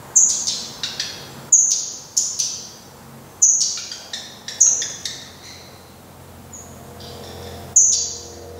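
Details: Black redstart calling by its nest on 24 May 2020 as the final chick leaves; sharp high whistled notes, each followed by a burst of dry ticks, repeated irregularly every second or so.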